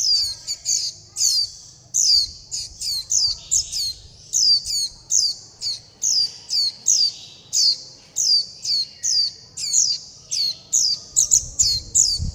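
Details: Young white-eye persistently begging for food and calling the flock, a long, fast series of piercing high descending notes, sometimes doubled, with almost no pauses.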